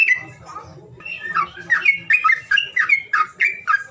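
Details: Lure call aimed at making reluctant birds sing: a few scattered notes open, then a quickening series of squawky, bright chirps repeated about four per second, over a faint low hum.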